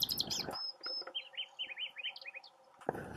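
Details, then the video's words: Nightingale on its perch in a tamarisk, delivering a series of short, repeated, falling whistled notes after a brief high burst, with rough noise at the start and end. "Ruiseñor cantando"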